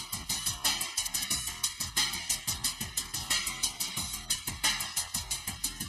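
Drum-driven music with a steady beat and plucked string instruments; no animal voice.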